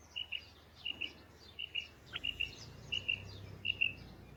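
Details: Female quail calling, giving bright doubled chirps in quick pairs, repeated irregularly about every half second, over a steady low hum and soft background noise.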